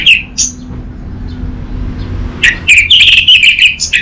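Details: Orange-headed thrush, used as a lure and master recording for a young, untrained bird. After two seconds of low hum, a burst of loud, rapid, high whistled notes and trills runs on, sweeping and fluttering, with a brief chirp early on.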